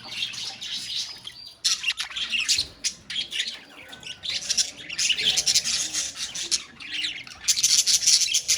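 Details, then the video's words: Budgerigars calling together in a colony: dense, continuous high chirping and scratchy warbling, with bursts of overlapping tweets that swell and fade every second or so, no other sounds apparent. "Budgies Sounds in Colony | Parakeets Sounds in Colony"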